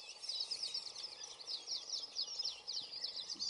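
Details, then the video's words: Atlantic canaries singing wild in mist, Gran Canaria, 3 December 2017: a fast, high, continuous warble of rolling trills and twittering notes, with a faint hum of background noise. "Canarios de monte cantando entre la niebla"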